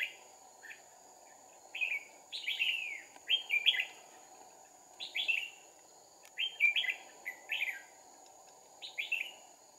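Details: Red-whiskered bulbul decoy in a trapping session, 2 April 2019, giving its fighting song: lively, rapid whistled phrases with rising and falling notes, delivered in bursts of two or three, over steady insect hum.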